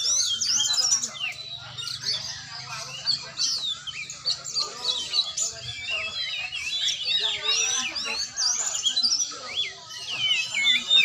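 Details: Kacer training session: varied high whistles and quick chirps repeated at a brisk, uneven pace, with a low hum in the first seconds and some lower chatter.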